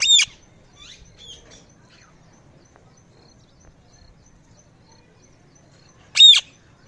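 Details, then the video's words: Parrot calling: two short, loud, raspy squawks about six seconds apart, with faint soft chirps in the quiet gap between them. "Parrot Calling Sounds | Parrot Chirping Sounds || Parrot Natural Sound"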